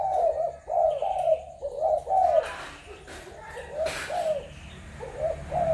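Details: Spotted doves from Malaysia, Thailand and Cambodia, 21 November 2022. Loud burry coos open, then fade to softer distant ones, while rustling and clattering noises and a thin high whistle run through the middle.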